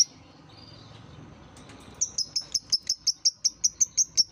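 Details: Lovebird therapy song meant to prompt young learning lovebirds to sing: after a quiet start, a fast, even string of sharp, high ticking chirps, about six per second, runs to the end.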